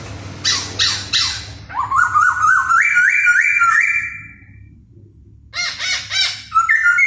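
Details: A laughingthrush singing while dancing: harsh bursts, then a series of rising whistled notes in quick succession, a pause, and more short ringing phrases.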